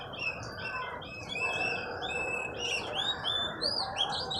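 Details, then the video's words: Recently bought oriental magpie-robin being trained, singing continuously. Layered whistles, sweeping slurs and rapid chips follow in quick succession, with a steady broadband background hum throughout. "Latih burung kacer, Alhamdulilah bisa gacor"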